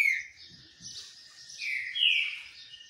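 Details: A green-winged saltator sings while sunbathing: a short, sharp whistle, then a fuller, slurred whistled phrase two seconds later, over a steady hissy background.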